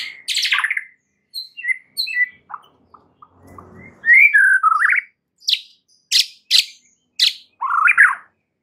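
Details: White-rumped shama in captivity singing varied phrases of rich whistles, sliding notes and sharp high chips separated by short pauses, offered as a lure song to rouse stressed birds into energetic singing.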